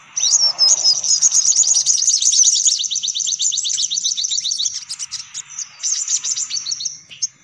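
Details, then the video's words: Sunbirds called in with a lure sound: a sustained run of shrill, evenly spaced downward-sweeping chips, roughly four per second, fading into scattered high twitters near the end. "Suara Pikat Burung Kolibri Paling Manjur || Sogok Ontong Ribut"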